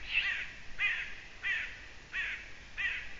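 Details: Rasping calls of a Eurasian eagle-owl, 6 June 2017 at 20:28. Five hoarse, grating bursts repeat fairly evenly, about one every two-thirds of a second, over low background noise.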